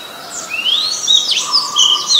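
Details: Oriental magpie-robin, very common resident, Ubon Ratchathani, Thailand, 21 January 2021: loud, varied whistled phrases, a long rising slur then quick downslurred and trilled notes, bright and musical, over a steady faint high insect-like hum and a soft low tone.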